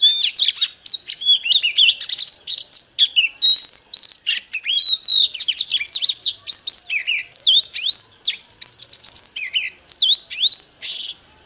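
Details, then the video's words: A kept Oriental magpie-robin sings in contest with wild birds, a rich, unbroken stream of varied whistles, slurred rising and falling notes and quick trills, all high-pitched with hardly a pause. "Chòe than Đấu với chim THIÊN NHIÊN"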